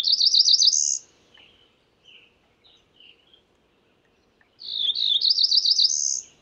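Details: Cerulean warbler giving rapid, rising buzzy songs that finish in a high thin trill, with a few brief lower chip notes scattered in the pause between the two phrases.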